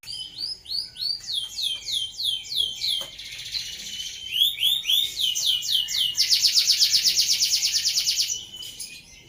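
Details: Rolling 'ngeroll' canary song used for tutoring other songbirds: repeated high falling whistles about four per second, a buzzy interlude, more sweeping notes, then a loud, very fast rattling trill that fades out.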